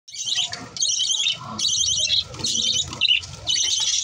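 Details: Green lovebirds chatter in dense bursts of high, scratchy chirps, each about half a second to a second long, separated by brief pauses.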